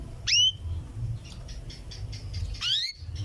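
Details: A female canary calling to the male gives two sharp upswept chirps, at the start and near the end, separated by a soft run of faint twittering notes over a low hum.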